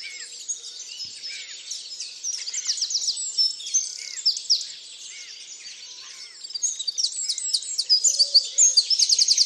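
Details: Birds in a dawn chorus at Tophill Low nature reserve by the main hide picnic table on 30 March 2019; dense overlapping high chirps and trills, building to loud rapid repeated notes near the end.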